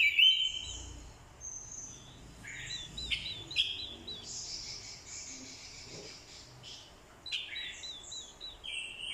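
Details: Orange-headed thrush decoy bird in fighting song, spurred by a female's call: fainter scattered warbled and slurred phrases, one strong whistle at the start, over a low background hiss.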